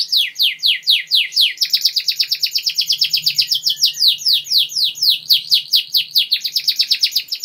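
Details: ['Lively, long-running canary master song for training young birds: an unbroken stream of rapid downslurred notes, about four a second, with a faint low hum underneath.']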